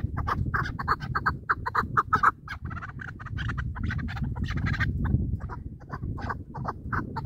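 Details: Chukar partridge kept for hunting gives a fast, continuous run of hoarse chuck notes, some doubled or tripled in quick bursts, over constant low-pitched background rumble.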